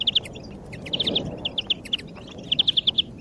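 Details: Lure song of a European greenfinch meant to spur other birds: a series of separate, clipped high notes speeding into a rapid run near the end, over soft background noise.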